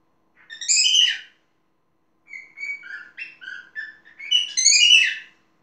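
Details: Talking pet parrot: a harsh, ringing squawk, then a string of short whistled, speech-like syllables, and a second loud squawk, with silence between them.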